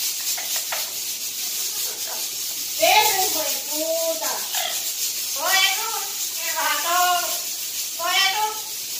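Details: A Cuban parrot sings La Guantanamera in rounded, rising-and-falling tonal phrases. Groups of three or four arched notes repeat with short pauses, against constant high hiss.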